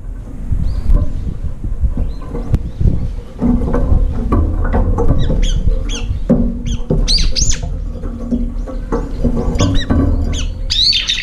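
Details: Brown-eared bulbuls compete at an almost empty feeding bowl, fighting and flying up between bites; sharp, harsh squeals grow denser toward the end above steady low-pitched background rumble.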